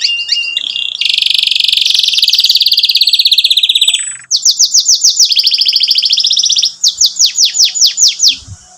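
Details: Loud canary song meant for young canaries to learn from: a warbled opening, a long rattling trill for about three seconds, then series of rapid downslurred whistles repeated several times per second, ending in a soft low thump.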